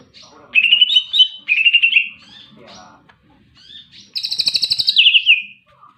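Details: Greater green leafbird singing hard, with two choppy whistled phrases, a pause, then a long buzzy rapid rattle sliding down into a slurred whistle.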